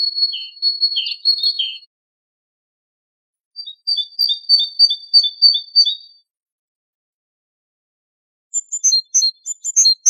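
A great tit sings in three bursts of high, clear notes; the middle phrase is a quick, even run of paired 'tea-cher' whistles. No other sounds are heard.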